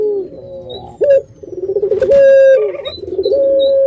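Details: Puter pelung, a kept Barbary dove: a low coo, a short rising note, pulsing trill, then a long flat sustained tone, with brief high squeaks nearby.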